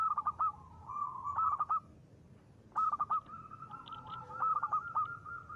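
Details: A local zebra dove in full voice, ngristal style, used as a lure. Two phrases, each opening with clipped staccato notes and running into a steady, bubbling trill of mid-pitched coos.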